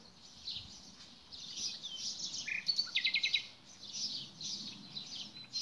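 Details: Nightingale giving a short, clipped note, then a fast, crisp trill of repeated notes, set against a steady wash of distant bird chatter.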